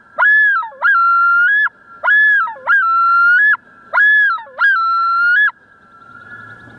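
A male common loon gives three loud, ringing two-note phrases about every two seconds, each a quick rising swoop then a long held wail that lifts at the end. A faint steady hum underneath.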